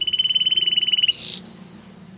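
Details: Russian canary in flute singing: an even, rolling trill of quick repeated notes on one pitch, broken by a brief hissing burst and a short high whistled note.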